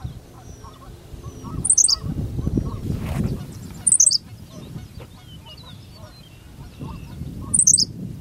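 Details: Henslow's sparrow singing in Goose Lake Prairie: three quick, high, clipped two-note phrases spaced a few seconds apart, over a low rumble of wind and faint calls of other birds.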